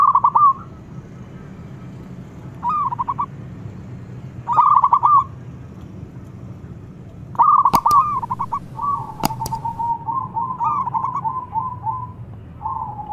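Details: Zebra dove of local stock giving loud calls: short bursts of rapid coo notes about every two seconds, then a long rolling run of wavering coos, with two sharp clicks.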